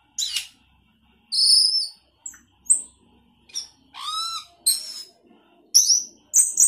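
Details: Sooty-headed bulbul singing energetically with varied fill-in phrases: separate clear whistled notes, some rising and some falling, and a rapid stacked trill, in bursts every half second to a second against a quiet background.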